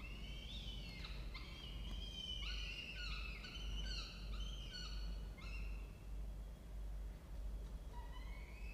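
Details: Peregrine falcons using a nest box in a water tower in Orange, New South Wales, Australia, with young in the nest: rapid series of raspy, harmonic calls, several sliding downward, then a short pause and one rising call at the end, steady hum beneath.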